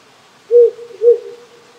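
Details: Night call of a wild owl that settled on a small hill by a countryside house in Japan in spring. It gives two deep, steady hoots half a second apart over a soft, constant stream noise.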